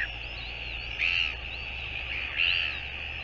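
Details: Northern royal albatross, recorded 24 January 2022, giving two separate brief strained wailing notes about a second apart over a constant background drone.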